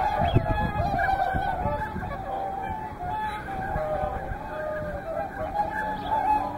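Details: Whooper and Tundra swans together at Hyoko, Niigata, during a day from morning to evening; a loud, unbroken chorus of trumpeting honks from many birds, with a few clearer calls rising above it.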